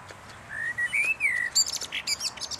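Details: Eurasian blackbird singing outdoors in Salzwedel in 2013. A mellow whistled phrase rises, then gently falls over about a second. It ends in a quick burst of high, squeaky twittering notes.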